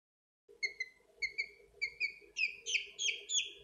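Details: Chicks peeping: a run of clear, slightly falling peeps repeated under a second apart. The later ones are louder and higher, over a steady low hum.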